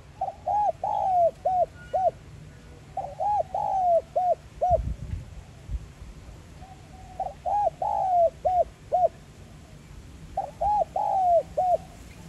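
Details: Spotted dove singing in the 'giọng son' voice, used to excite kept doves into cooing. Four mellow coo phrases come roughly every three seconds, each a quick series of short hoots with one longer sliding note. A brief low thump occurs midway.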